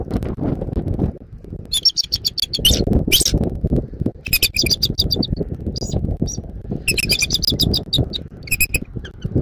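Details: Bald eagle calling from a Southwest Florida nest at dawn on 14 January 2024: bursts of rapid, high, piping chitter notes that come in series and pause, set against heavy low wind rumble.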